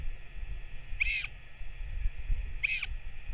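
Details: Northern royal albatross (Diomedea sanfordi), recorded 21 May 2024, back and feeding, gives two brief, high squeaky calls about a second and a half apart over a steady low rumble of wind.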